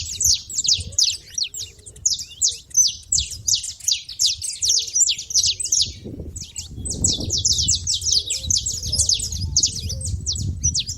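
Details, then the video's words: Saffron finches making noise at a feeder: a dense, nonstop chatter of sharp, high chirps from many birds overlapping, with faint lower whistled notes and a low background rumble. "canário da terra fazendo barulho na seva"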